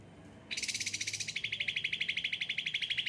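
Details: Cucak ranting, an ocean green bird with a yellow head kept under frequent care, singing eagerly: after a brief quiet start, a rapid, steady trill of high pulsed notes runs on, about three per second.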